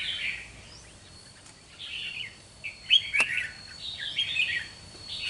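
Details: Wild-caught red-whiskered bulbul, two months in captivity, singing during a fanned-tail fighting display: short bursts of bright, warbled, slurred phrases with brief gaps. A thin steady high tone runs underneath.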